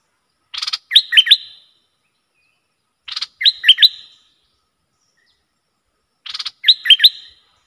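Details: Bulbul, used as a lure and aroused against rival wild birds, repeats the same short phrase three times, about three seconds apart: a buzzy rasp, then three quick looping whistles.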